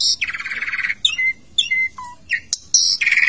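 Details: Caged Asian pied starling in its bathing cage, showing off its varied song: a harsh buzzy rattle, then clear whistled notes at several pitches, a low slurred whistle and more grating chatter.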